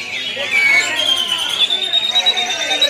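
An Oriental magpie-robin sings a dense, continuous run of high, clear whistles and warbled notes, some held briefly and others rapid and twittering.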